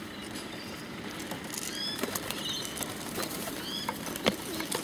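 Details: Hungry bottle-fed pigeons begging; a few thin, high, rising squeaks scattered through the recording amid wing flapping and sharp clicking handling noises.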